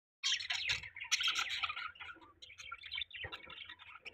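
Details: Pet budgerigars during mating, giving dense warbling chatter: rapid chirps, clicks and squeaky notes packed together, with brief pauses and a softer stretch after three seconds.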